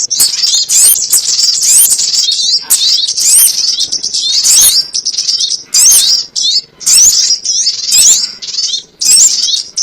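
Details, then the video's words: Lure recording for trapping crimson sunbirds: high, sharp chirps and trilled twitters in bursts of about one second, separated by brief gaps, at a fairly steady pace. "SUARA PIKAT BURUNG SOGON ONTONG"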